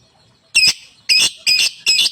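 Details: Lovebird uttering four loud, rasping, shrill chirps in quick succession, each a short burst with a squeaky whistled edge.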